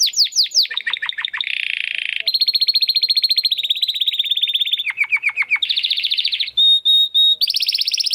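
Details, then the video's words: Varied song tours from a Belgian canary in estralando style: descending slurs, buzzy stretches, fast rattling trills and a short steady whistled note, changing every second or so. "CANÁRIO BELGA CANTANDO ESTRALANDO !"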